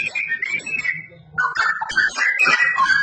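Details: Loud, active straw-headed bulbul song: a fluent run of whistled notes, a brief quieter gap, then a dense, bubbling burst of warbled phrases, with a steady low hum beneath.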